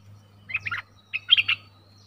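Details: Streak-eared bulbul giving two short bursts of bubbly, chirping notes, each three or four quick syllables rising and falling, over a faint low hum.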